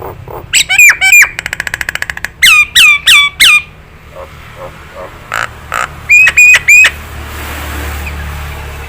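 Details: Nias hill myna recorded for songbirds to copy. Clear, loud whistles with sudden upward flicks, repeated in groups of three, plus a fast rattling trill and scattered clicks between phrases.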